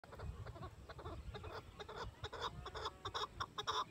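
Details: Male chukar partridge (chakor) calling with its female, a territorial call; rapid repeated harsh chuk notes in bursts through the clip, over low rumbling background noise.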